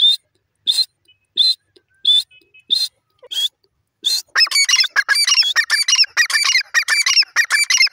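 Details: Grey francolin calling: a short series of sharp high notes, then a dense, rapid run of harsh, ringing, harmonic-rich notes, repeated many times a second.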